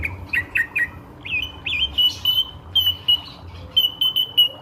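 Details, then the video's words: Drongo used as a lure to attract other birds, giving quick chirps, then clear flat whistled notes in short repeated pulses, with a brief harsh burst in the middle. "SRIGUNTING GACOR PANCINGAN BURUNG SEKITAR !!"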